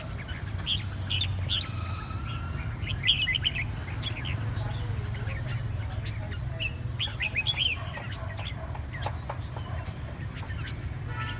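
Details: Red-whiskered bulbul recovering from a hoarse, strained voice; scattered short chirpy notes and brief warbled phrases come and go over about eleven seconds, above a steady low rumbling hum.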